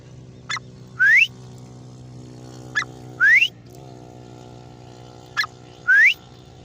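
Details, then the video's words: Grey francolin, called Irani teeter, giving a short sharp note followed by a loud upward-sweeping whistle, the pair repeated three times roughly every two and a half seconds, against a steady low engine-like hum. "Gray Francolin ||gray Francolin sound|| irani teeter ki awaz"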